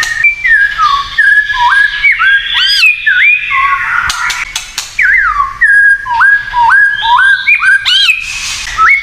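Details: Provoking 'kretekan' song of a white-rumped shama, a long varied run of clear whistled slurs, upswept and downswept notes repeated in quick series, with occasional sharp ticks and rasping bursts.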